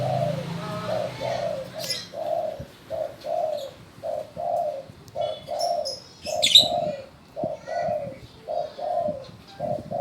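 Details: A spotted dove that calls on command keeps up a steady string of low, soft coos in paired and single notes over ten seconds, with brief high chirps of another bird in the middle.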